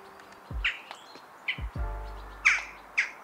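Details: Jackdaw in a UK garden giving four short, sharp 'tchak' calls about a second apart, bright and metallic, with a few low thumps and a soft hum underneath.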